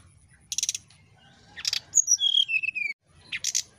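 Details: Brown-chested jungle flycatcher, nyiul ngetrek style, played as a lure: bursts of rasping clicks, then a high whistle sliding down into a short series of descending whistled notes, ending in more clicks.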